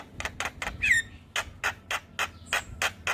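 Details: Javan myna giving rough, rasping notes repeated about every quarter second, with one short whistled slur early on, against low background hum.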